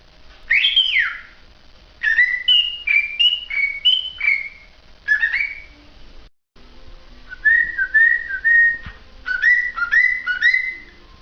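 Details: Cockatiel song made of short whistled phrases, with notes stepping up and down in quick runs, then a brief break and a second run of shorter level and rising notes.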